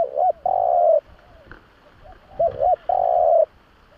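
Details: Spotted dove (Streptopelia chinensis) cooing low and soft: short hooked notes run into a long, drawn-out coo, with the phrase given twice in four seconds.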